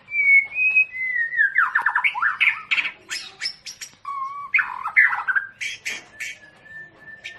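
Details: Long-tailed Medan white-rumped shama during a breeding pairing session: rich varied song of clear whistles, sliding notes and rapid harsh chattering bursts, loud and close, with changing phrases.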